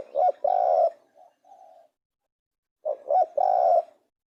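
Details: Low, mellow cooing from a spotted dove: two loud phrases, each with two short notes and a longer held coo, the first followed by softer tail notes and a pause.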